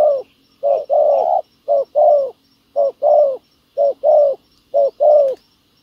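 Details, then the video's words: Wild field dove and decoy setup for trapping spotted doves: four rhythmic pairs of a short note and a longer rounded coo, spaced about a second apart. "bẩy cu gáy mồi đất hay..gặp bổi đồng gù khá tốt"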